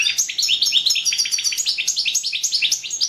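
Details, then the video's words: European goldfinch competition song entered in a 2017 online world championship: a fast, continuous stream of tinkling, twittering notes with liquid trills, dense and unbroken throughout. "World championship in Goldfinch Song 2017"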